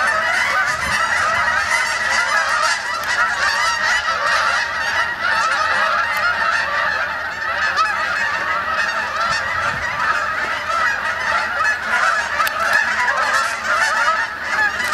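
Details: Large flock of Canada geese (Branta canadensis) arriving for the night at the main pond, Sapsucker Woods, Ithaca, New York, 28 October 2017; a dense, unbroken chorus of honks lasting fifteen seconds with no gaps.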